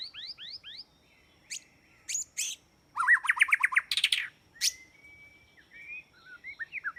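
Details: Trapping lure of white-rumped shama song: a run of repeated downslurred whistles, sharp high notes, a rapid fast rattle of stacked notes, then a long steady whistle and a series of rising chirps.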